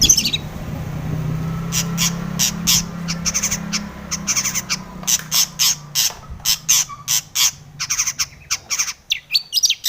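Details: Long-tailed shrike singing a full, varied song used to provoke other shrikes into singing: a rapid run of harsh, scratchy broadband notes that grows denser after the first few seconds, over a low hum at the start.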